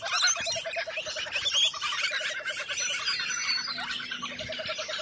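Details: Lorikeets in Australian wildlife giving dense, shrill, overlapping screeches and chatter, as from many birds at once, over a rapid low pulsing note that repeats through the first half.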